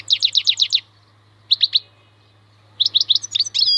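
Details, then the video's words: Wild European goldfinch giving bursts of crisp repeated chirps, six in a row, then three, then a longer twittering phrase ending in a sustained tinny buzz, separated by short silences over a low background hum. "MAKNINE KHALWI super chant مقنين خلوي"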